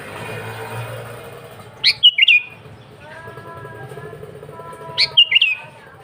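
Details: Gacor song of a sooty-headed bulbul meant to draw rival and wild birds: quick chirpy phrases of a sharp upward note and tumbling slurs, heard twice three seconds apart, with faint low hum and soft background noise.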